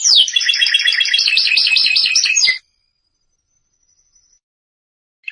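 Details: Canary singing for training young birds: a dense, fast warbling trill for about two and a half seconds, then silence.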